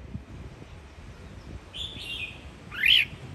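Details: Red-whiskered bulbul of the Sông Kon line, home-raised in Quảng Nam and kept as a fighting bird, utters soft drawn-out notes, then ends with a loud sharply rising whistled note; quiet background hiss.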